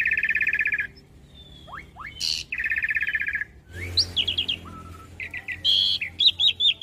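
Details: Master recording of an Asian pied starling for young birds: rapid buzzy trills at mid pitch, sweeping whistles, a flat low whistle, and clusters of quick looping chirps at the end.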